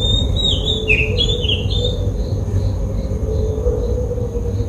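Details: Oriental magpie-robin in Sri Lanka giving clear, slurred whistles that swoop down over about two seconds, then fainter short notes repeated, all over a steady low rumble.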